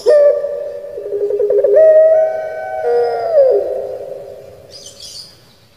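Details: Captive Barbary dove of the puter pelung kind, Indonesia, singing 'menangis': a stuttering start, then a long level moaning coo that drops away at the end, followed by faint hissing.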